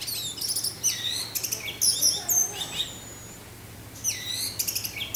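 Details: Orange-headed thrush pouring out 'teler' song with wind: dense high twittering, ringing whistles and sweeping slurs, a brief lull, then renewed rapid phrases.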